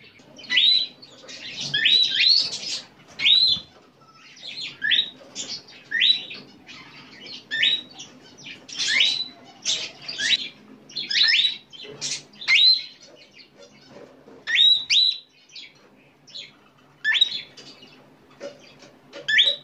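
A cockatiel gives a steady run of short, high chirps and whistled notes, sometimes in quick doubled bursts.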